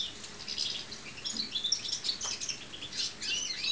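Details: Pet European goldfinch of the Balkan subspecies (Carduelis carduelis balcanica) gives quick, high, tinkling twitters and short liquid chirps in a rapid run, with a faint background hiss.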